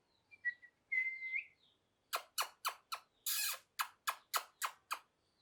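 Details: Parrot calls: a short whistle first, then a quick series of about ten harsh, buzzy squawks repeated several times a second, indoors and without other sounds.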